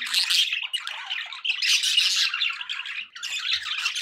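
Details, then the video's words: Budgerigars chatter in three loud waves of buzzy, scratchy warbling and quick chirps, separated by brief dips in loudness. "budgie sounds for pet birds"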